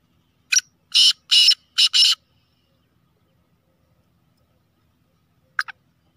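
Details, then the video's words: Kala teetar, a black francolin called a speeder chakri wala type, gives a full harsh phrase: one short sharp note, then three rasping grating syllables. Silence follows, then two brief clipped notes near the end. "Speeder Kala Teetar Chakri Wala Teetar Beautiful Kala Teetar"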